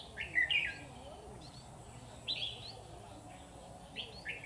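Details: Red-whiskered bulbul serving as a trap decoy: short, bright warbled phrases repeated about once a second, clear above a quiet background murmur.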